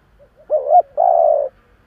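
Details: Kept decoy spotted dove cooing in the 'giọng thổ' style to lure wild doves: a short wavering two-part note followed by one long steady low hoot, clean and quiet behind.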